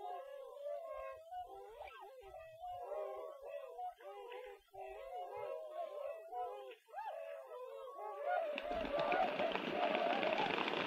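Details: A flock of tundra (whistling) swans resting for a few hours on a lake in northwest Wisconsin gives mellow, bugling hoots that overlap in a steady chorus, several each second. A broad rushing noise, like wind or water, swells near the end.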